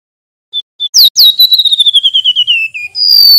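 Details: Male mangrove whistler opens with two short high notes and an upward flick, then runs a long pulsed whistle trill that slides gradually lower before a new high sustained whistle starts.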